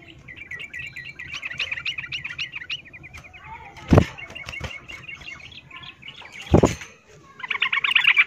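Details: Female yellow-vented bulbul in breeding condition calling a male with the miyik call: rapid chattering notes in uneven runs, two sharp knocking bursts midway, and a louder buzzy chatter at the end.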